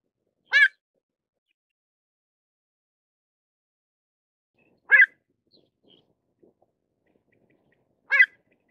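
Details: Pied avocet calling: three short, sharp, clear notes, widely spaced several seconds apart, against a silent background.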